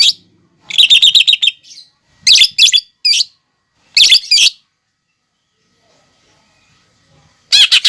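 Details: Masteran song of a lesser green leafbird (cucak ijo) carrying fighting-sparrow, lovebird and sunbird imitations: rapid chattering bursts and sharp doubled chirps in quick succession, then several seconds of silence before another burst.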